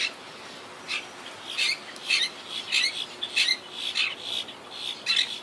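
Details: Quaker parakeets of a wild tree-dwelling colony hit by hurricane Irma in 2017; rasping squawks repeated quickly, growing into a continuous scratchy chatter toward the end.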